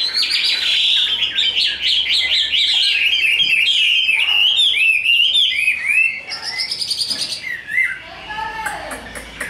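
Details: Tame, large Chinese hwamei singing hard in a fighting display, a long stream of rich whistles and quick trilled chirps that grows quieter and more broken toward the end.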